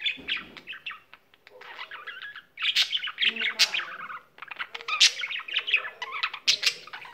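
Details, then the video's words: Pet budgerigar singing eagerly, a loud run of scratchy chirps, buzzy notes and quick clicks, pausing briefly near the start and the middle before chattering on. "il cocorito canterino"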